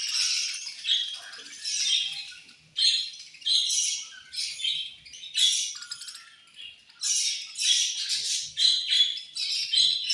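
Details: Several budgerigars chirping at feeding time: loud, buzzy, scratchy chatter in repeated bursts of one to two seconds, overlapping and nearly continuous.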